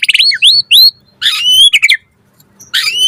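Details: Murai batu song for lure and tutoring: bright upslurred whistles in quick succession, a dense scratchy warble, a clear drawn whistle, then another noisy burst after a short silence.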